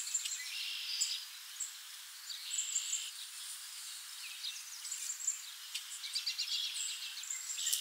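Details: Palm Warbler foraging at Montrose Point, Chicago, in May: thin, high chips and brief buzzy notes come in scattered bursts, with a soft hiss of background noise and faint insects.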